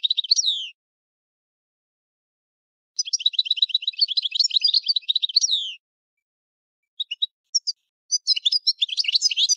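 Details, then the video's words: European goldfinch delivering tinkling twittered phrases with repeated quick notes and a falling slur, broken by long pauses and a few isolated chips before the song resumes. "Chant du Chardonneret"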